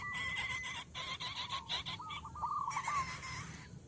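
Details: Coucal chicks at the nest as the parent offers a large food item; rapid wavering notes mixed with sharp clicking and rustling from movement in the nest, plus a steady whistle.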